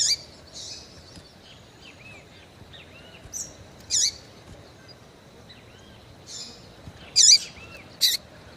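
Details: Female double-collared seedeater in breeding condition, calling and peeping to arouse males, with sharp high chirps that hook downward, five bursts over nine seconds, and faint thin whistled notes between them over a quiet hiss.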